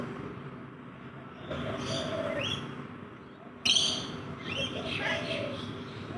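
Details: Backyard rainbow lorikeets feeding, heard as repeated harsh squawks and scratchy chattering bursts, a loud sudden screech near the middle, then more overlapping calls, above a continuous low mechanical hum and faint low coos.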